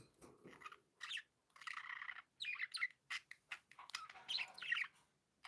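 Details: Happy pet budgerigars chirping: bursts of buzzy, warbling chirps with short gaps between them, some notes sharper and squeakier, the chatter growing busier toward the end.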